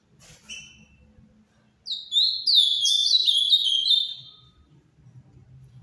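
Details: An ultramarine grosbeak sings quietly in the Paraná song style, one rich, warbled phrase of quick notes sliding downward over about two seconds after a brief high call, over a low hum.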